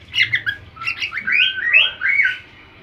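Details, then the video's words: Cockatiel singing to another cockatiel's song: a continuous run of warbling whistles and slurred notes, with some harsher chirps at the start and smoother rising whistles toward the end, over faint low background hum. "canto ao som de outra calopsita"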